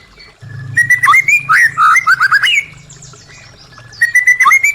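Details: Song of a white-rumped shama, played to coax silent caged birds into singing: fluid warbled whistles rising and falling in a continuous phrase, a pause, then another whistled phrase over a low steady hum.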